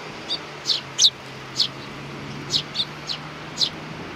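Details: Hand-tame young sparrows recorded on 28 June 2019, giving short, high, sharp chirps, about eight spaced irregularly across four seconds, some in quick pairs, over a low steady background hum.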